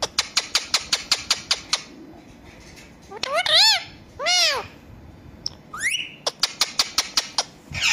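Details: A pet talking ringneck parrot gives two drawn-out, arching meow-like cries and a quick rising whistle, between runs of rapid dry clicking taps.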